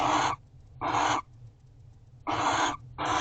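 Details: Barn owls at owl box C, 12/1/23 at 5:41 am, guarding the house. Four harsh, noisy hissing screeches, each under half a second, in uneven pairs, with a steady low rumble beneath.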